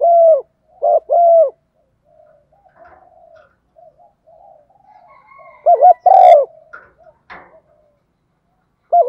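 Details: A female spotted dove's coo, played so that decoy and wild males will start calling in wind and rain; two clear coo phrases separated by several seconds of faint, soft murmuring and a brief click.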